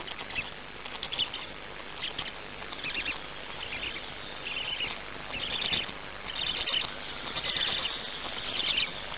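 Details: Black stork chick on a nest in Gemenc, Hungary, at 17:51 on 10 May 2019, after finally swallowing a huge fish; soft raspy high chirping bursts come roughly every two seconds over steady background hiss.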